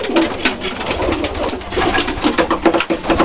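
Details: Dalıcı diving-breed domestic pigeons, with soft low coos early on and again near the end, repeated in short bursts over constant rustling and wing noise.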